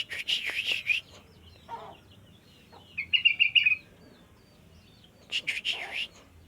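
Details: Sooty-headed bulbul singing during training: three short bursts of rapid bright chirps separated by quiet gaps of about two seconds, with faint background bird chatter.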